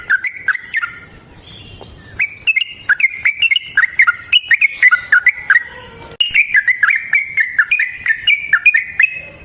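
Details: Natural outdoor sound of a yellow-vented bulbul in full, energetic long song (ropel panjang): quick chains of fluty, slurred notes, a brief pause near the start, then a continuous chattering run.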